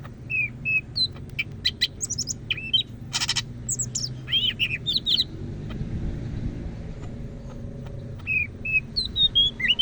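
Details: Greater green leafbird from Medan, North Sumatra, a kept songbird in full loud song: scattered high whistled slurs and chirps with a brief harsh burst midway, over low background hum.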